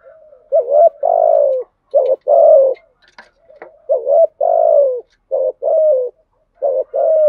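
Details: Spotted dove, a local wild-type bird, gives deep, hollow coos in short two- and three-note phrases, each dropping slightly at the end, with brief pauses between; used as a calling lure.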